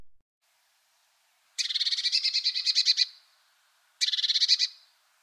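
Great Tit giving two bursts of fast, harsh, scolding chatter, the first about one and a half seconds long and the second shorter, with silence between.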